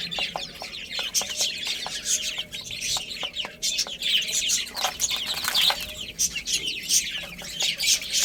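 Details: A group of small chicks peeping constantly while playing and feeding; shrill, overlapping chirps fill the whole stretch, mixed with soft wing flutters and scattered clicking taps.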